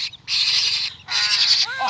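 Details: Parrot chick eager for its milk at morning feeding: two long, coarse rasping screams, with a voice starting at the end.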